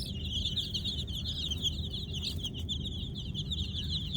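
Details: Baby chicks chirping at night: a dense, continuous chorus of high, rapid peeping notes from many birds, running without pause over a strong low rumbling hum.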